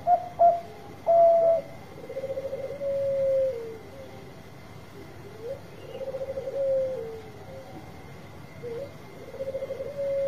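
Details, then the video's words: Zebra dove, Bangkok type, singing to prompt lazy birds to sing: short coo phrases, then soft rapid trilled coos ending in a drawn-out note, repeated about every three seconds over a faint steady hum. "Suara Besar Perkutut Bangkok Gacor Obat Pancinga yang lagi Males Bunyi"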